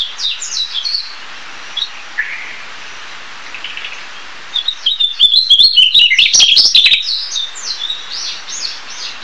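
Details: Narcissus flycatcher (Ficedula narcissina) sings a run of high, quick whistled and chirping phrases, with a denser burst of notes midway and a few short clicking sounds behind it.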